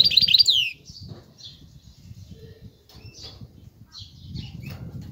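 A goldfinch hybrid opens with a bright, loud twittering phrase ending in a downward slur, then gives scattered faint high chirps over a low background rumble.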